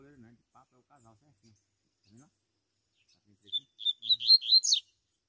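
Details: Double-collared seedeater singing out in the bush gives a brief, quick burst of high, sweet twittering notes lasting about a second, after a man talks quietly.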